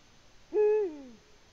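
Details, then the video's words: Eurasian eagle-owl at its nest in Latvia, recorded 14 February 2020: a single deep, hollow hoot, steady for about a third of a second and then sliding downward as it fades, over a quiet background. "Eagle Owl, Latvia 2020-02-14 Bubo in the nest"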